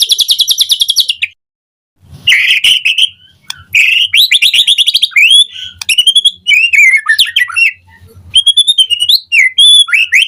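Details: White-rumped shama morning lure song, full of varied filler phrases: a fast buzzy trill opens, then after a short pause come loud whistled notes, slurred rising and falling phrases and quick chattering bursts.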